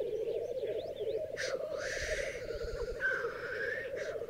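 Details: A chorus of black grouse at a raised-bog lek in Berezinsky Biosphere Reserve, with ten hens around one male: constant low bubbling overlaid by two drawn-out hissing chuffs.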